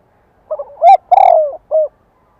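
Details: Spotted dove lure song meant to provoke rival doves to reply. One deep phrase: a few quick stuttered notes, an upward-bending coo, a long rough falling note and a clipped final coo. The surroundings are quiet.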